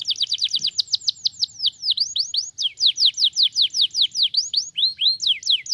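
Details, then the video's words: Canary song played to stimulate singing in other canaries, with very fast falling whistles, then V-shaped dips and a run of repeated descending notes, closing on rising slurs. "estimula rapidamente o som do chilrear canário atolado"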